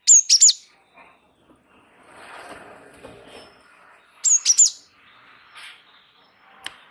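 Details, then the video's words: Java sparrow (gelatik wingko) singing actively as a tutor and trigger for other birds: a tight trio of piercing, high chirps, a quiet murmur of low rustling sound, then a second trio of similar sharp notes. "gelatik wingko gacor ngeroll pancing bunyi suara masteran burung gelatik"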